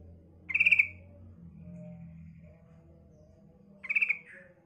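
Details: Female Yellow-vented Bulbul calling, used to lure untrained young males: two short bursts of rapid buzzy pulses about three seconds apart, the second ending in a brief lower slurred note, over a faint low hum.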